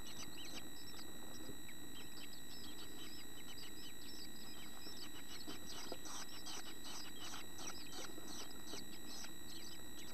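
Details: Begging from chickadee nestlings in a nest box, nearly ready to fledge and beating their wings to exercise: dense, rapid high chirping and squeaky tweets, about two or three a second, over a constant electrical hum.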